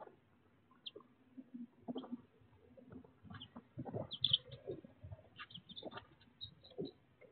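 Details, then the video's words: Baby chicks in raw, unedited footage, giving scattered short high peeps over a low background of shuffling and pecking sounds, with calls spaced irregularly across the clip. "ASMR almost one hour of Baby Chicks!"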